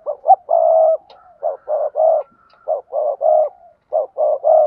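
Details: Spotted dove sounding 'gáy thúc gù' and 'gáy gọi' coos, in repeated phrases of soft, low, throaty notes ending in a longer held coo, with a faint thin whistle in the background.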